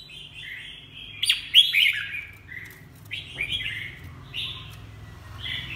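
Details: Red-whiskered bulbul kept in a cage, moulting on leg and bill, giving a few bright whistled phrases with a sharp burst near the start, against a constant low mechanical hum.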